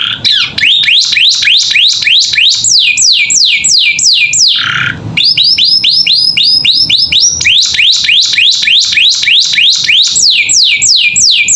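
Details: Caged canary singing with a rich, filled-in repertoire for bird training: long runs of fast, evenly repeated whistled downslurs, broken once by a brief low buzzy note.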